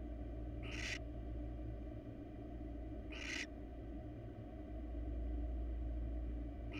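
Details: A wild barn owl pair, cuddling and resting in a monitored nest box, gives two short breathy rasping hisses about two and a half seconds apart over a steady low hum.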